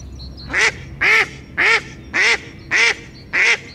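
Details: Tufted duck, a small diving duck, giving a guttural mating call: six loud, harsh, rasping notes repeated about every half second, with faint high chirps of other birds in the background.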